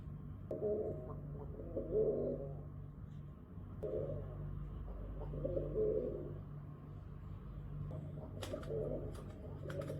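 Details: At a window, pigeons repeat soft, burbling coos in roughly second-long phrases, with a continuous low hum and a few sharp clicks near the end.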